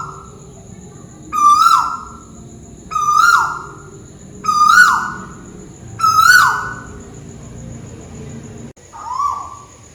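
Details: Tuwu bird calling overhead in Malaysia, five strong whistled calls about every 1.6 seconds, each a level tone that rises slightly before dropping steeply, carrying bright overtones; faint low hum beneath.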